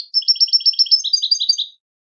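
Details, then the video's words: Rapid goldfinch song phrase of evenly spaced clear notes, a steady two-tone twitter speeding into a shimmering liquid jingle, about fifteen notes in under two seconds. "Motivational Techniques for Beautiful Melodies Your Goldfinch's"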